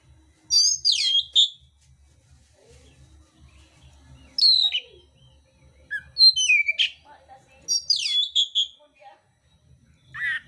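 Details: Fighting oriental magpie-robin (kacer mintal) with rough filler song: loud phrases of high, downslurred whistles and clicks, spaced a few seconds apart, with soft scattered notes in between and a faint low hum.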